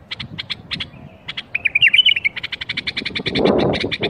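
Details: Bulbul 'berwaz' song meant to start other bulbuls singing: paired chip notes, then one fluid warbled phrase, then a fast even series of clicks over a low rumbling background.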